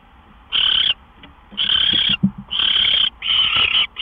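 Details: Owl at its nest around midnight on March 26, 2013, during gopher deliveries; four loud raspy bursts, the later ones longer and running close together, with faint low clicks and rustling between them.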